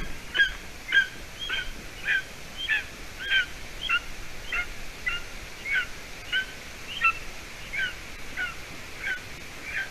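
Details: Young golden eagle calling from a Latvian nest, 30 June 2020 near 6:20 p.m., after its mother delivered stringy roe deer leg hide; about seventeen thin, high chirps, each a quick downward slur, repeated steadily.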